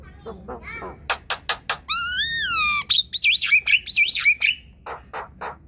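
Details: Chattering song of group-kept Javan mynas, meant to prompt reluctant birds to sing: clicks and dry ticks, a sustained arched whistle, then quick wavering whistled loops and scratchy notes.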